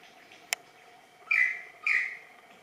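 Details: Superb lyrebird, Menura novaehollandiae, calling during a practice dance: two short harsh, slightly falling notes about half a second apart, after a single sharp click, with a steady background hum.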